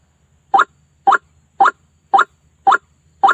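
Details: White-breasted waterhen (ruak-ruak) lure call: six rasping, slightly upslurred nasal notes about half a second apart, evenly repeated, over a quiet low background murmur.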